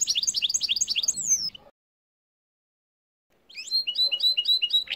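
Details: Caged goldfinch-canary hybrid in winter sings fast, bright twittering phrases of high repeated notes and trills, with a short pause between two bursts.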